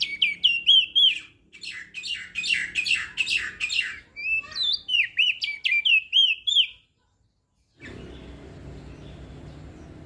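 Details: Lombok crested white-eye singing rapid, buzzy-edged whistled phrases in quick bursts for about seven seconds, meant to rouse reluctant singers; then silence followed by low background noise.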